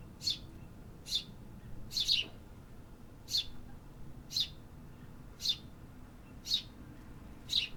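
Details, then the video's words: City birds singing: clear high chirps about once a second, one quick double note near two seconds, above a quiet low background drone. "Urban Birds Sound Effects -- Hear the activity"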